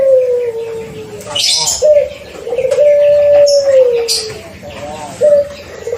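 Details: Six-month pelung Barbary dove, early-paired to bring on calling, delivers successive long coos, each a brief lifting note followed by a prolonged steady tone easing downward, with light rustling clicks between phrases.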